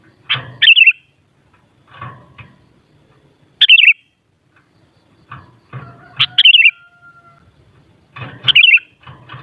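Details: Sooty-headed bulbul song meant to excite another kutilang into answering: four short liquid warbled phrases spread over nine seconds, with low thumping knocks and a steady faint hum between them.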